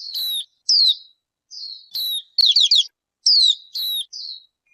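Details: High whistled notes from a bird, each a short falling slur, repeated with brief gaps, broken once by a quick rattling trill of four bouncing notes; clean recording without background noise.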